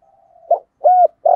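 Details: Decoy spotted dove cooing in the thổ voice style to provoke wild doves. A faint drawn-out tone is followed by a short note, a rounded coo and the start of a further throaty coo.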